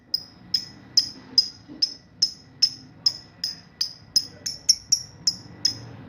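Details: Young lovebird in training for the ngekek song, used to lure other lovebirds into replying: a steady string of sharp, piercing chirps at about two or three per second, with faint low rumble underneath.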